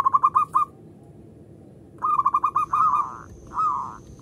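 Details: Local zebra dove (perkutut lokal) singing as a lure to get other doves cooing: stuttering bursts of rapid mellow hooting notes, then a longer rolling phrase after a pause, with a faint steady high whine behind.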